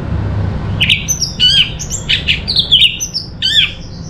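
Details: Orange-headed thrush (anis merah) from Singaraja, North Bali, kept as a song bird and singing in a lively, gacor style. Short bright whistled and chattering phrases jump between notes, about one every half second, over a steady low hum.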